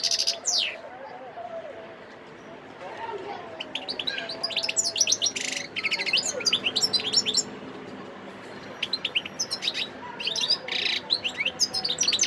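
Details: Wild European goldfinch singing near Sidi Bel Abbes, Algeria, recorded on 17 December 2021: rapid high twittering phrases with buzzy notes and trills in bursts, broken by short pauses, over faint background hum.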